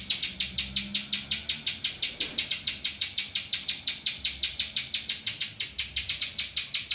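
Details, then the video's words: Spiderhunter giving a song filled with ciblek-style phrases: a fast, steady series of sharp, high, buzzy chips, close to three per second, with little else heard. "burung pinjantung isian ciblek"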